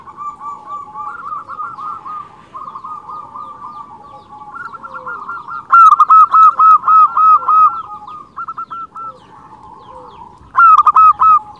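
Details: Local zebra dove singing actively, used as a lure for other zebra doves: soft mid-pitched trilled cooing, then a loud burst of rapid staccato coos near six seconds and again near eleven seconds, with other doves cooing softly behind.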